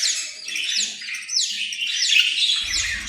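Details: Australian parrot giving dense, scratchy chirps and squawks that sweep between mid and high pitch in overlapping bursts, with no pauses.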